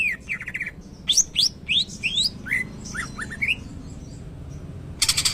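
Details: Shama-style song from a greater green leafbird: buzzy chattering trills open, followed by quick upslurred and downslurred whistles in a lively sequence, ending in a harsh rattling burst.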